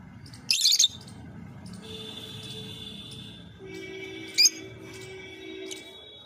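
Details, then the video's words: Lovebird chirping indoors: one loud, shrill, rasping burst near the start, then a quieter sharp chirp and faint ticks, over steady high and low humming tones in a small room. "Love bird chirping sound"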